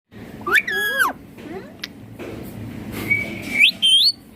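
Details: Green Indian ringneck parakeet, described as talking: a rising harmonic whistle, a sharp click, then a long level whistle that ends in two quick upward-bending notes, over faint room hum.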